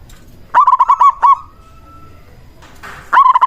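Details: Local zebra dove decoy meant to stir other doves to answer; a fast run of clipped, bubbling notes, then a thin held tone, then another quick bubbling burst.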